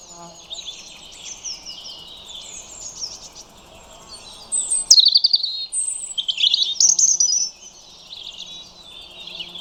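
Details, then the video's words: Song of a European robin: faint high warbles give way to a louder phrase of sharp descending whistles and rapid trills, then fade back into soft, distant twittering. "Soothing Sounds of European Robins"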